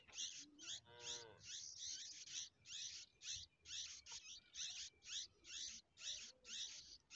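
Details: Hungry bulbul chicks begging: a fast series of harsh, high, buzzy notes repeated about twice a second, with a brief lower tonal call near the start and faint background rustle.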